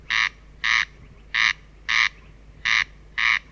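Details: Rasping two-part calls of a corn crake, three harsh buzzy pairs in quick regular succession, close and clear, with a faint low hum behind.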